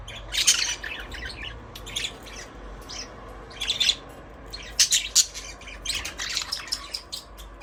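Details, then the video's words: Budgies singing and playing in an aviary give raspy squawks mixed with quick, high chirps, bursts coming in irregular clusters every second or so, over a soft, steady hum. "Budgies parrot chirping sound"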